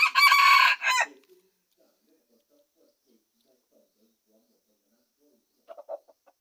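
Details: Red junglefowl rooster giving a short harsh crow lasting about a second, followed by silence and a few faint clucks near the end.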